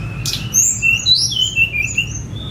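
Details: Sunda robin set free from its cage, recorded on a phone; high thin whistled phrases sliding and warbling, with a low background rumble.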